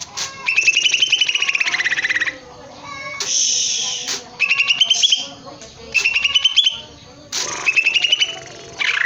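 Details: Greater green leafbird in a cage singing hard: buzzy, rattling trill phrases about two seconds long, repeated after short pauses, each ending in a higher whistled flourish.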